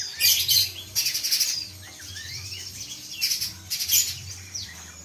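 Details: Spiderhunter, little or mountain, giving bursts of very high, thin, sharp chipping notes in short clusters, with faint sweeping whistles between them and a low hum in the background.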